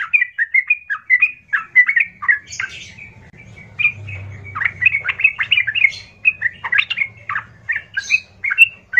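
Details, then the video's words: Loud, rough yellow-vented bulbul song, trucukan gacor, aimed at provoking other bulbuls to respond; continuous fast chatter of gurgling, warbled notes throughout, over a soft low rumble. "pancingan trucukan gacor kasar"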